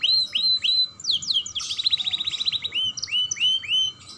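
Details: Song of a young canary used to prompt other canaries to sing: downslurred whistles, then a rapid rattling trill of many short notes, returning to repeated clear downward-sweeping whistles.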